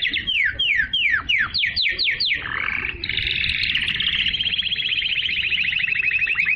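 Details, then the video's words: Canary song for encouraging females to mate and for teaching young birds. Around eight loud descending whistled sweeps give way to a long, dense, rapid trill. "تغريد الكناري لتحفيز الاناث على التزاوج"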